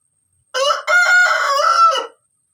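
An Aseel rooster gives one short crow: a clipped opening note, then a long, rich, drawn-out note that fades after about a second and a half.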